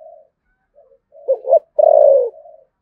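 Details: A spotted dove from Đồng Nai, Vietnam, in the "thổ sấm" voice with "thúc gù" cooing. Quiet level murmurs lead to two stuttered notes, then one loud, long coo falling in pitch and a soft trailing hum.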